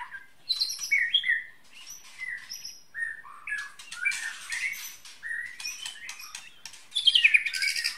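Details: Bahorok white-rumped shama with a 33 cm tail, delivering loud, fluty whistled phrases mixed with harsh, buzzy bursts and fast twittering. The song ends in a dense, high, scratchy flourish.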